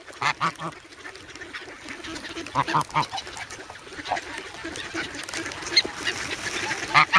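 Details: Hungry young geese, grown from goslings, begging for bread in snow at Sloterpark, Amsterdam, 3 February, recorded on a Sanyo-SH1. Scattered short nasal honks come in small clusters over steady background hiss.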